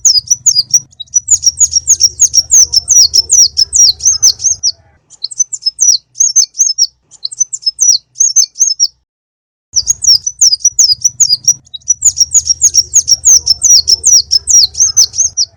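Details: Konin bird song for luring and training other birds: long bursts of fast, piercing, high chirps in tight series, broken by short silences, with a steady low hum under the louder passages.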